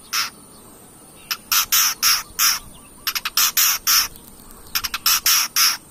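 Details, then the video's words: Long-tailed shrike, played as a lure to provoke other birds to sing: repeated loud grating, rasping bursts in irregular groups, with a thin high squeak within some notes and a steady background whine. "pancingan cendet gacor"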